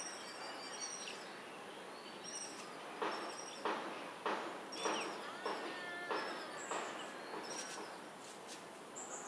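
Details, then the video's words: Laced woodpecker (花腹綠啄木鳥), recorded 17 March 2026, gives a series of harsh, loud notes, roughly one every half-second for several seconds, over thin high twittering from other birds and a faint insect hum. "Laced Woodpecker 花腹綠啄木鳥"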